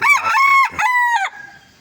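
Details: A rooster crows in the early morning: a short, hoarse two-part crow with a strained opening note, a brief break, then a steady held note that falls away.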